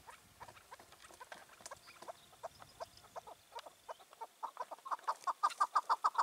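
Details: A wild chukar partridge, five to six years old, living free near a rooftop and acting as king of its area, on the evening of 4 June 2023: faint scattered notes that build into a loud, fast chuck series.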